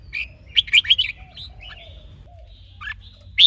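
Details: Male red-whiskered bulbul in song training, stirred by a female: a short run of loud chirpy warbles, then scattered soft whistles and a sharp closing note.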